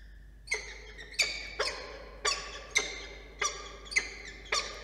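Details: Peregrine falcon pair at a nest in New South Wales, Australia, early morning of 27 September while incubating three eggs; loud harsh grating calls repeated roughly every half second to second, each a raspy burst.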